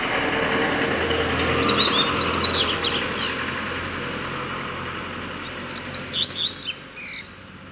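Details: Wild double-collared seedeater found loose in a neighbourhood, described as agitated: faint high twittering notes early, then a louder run of rapid chirps and buzzy whistles near the end over a low traffic rumble.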